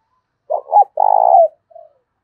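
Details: Decoy spotted dove with a thổ đồng voice, cooing to provoke a fight: two short throaty notes, then a long rolling vibrato coo with a falling end and a faint final note, clean background.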